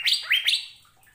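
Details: Asian fairy-bluebird (Irena puella), song.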